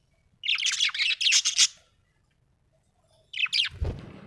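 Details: Happy budgie chirping: a dense burst of fast, grating chatter notes lasting over a second, silence, then a second short burst ending with a low bump.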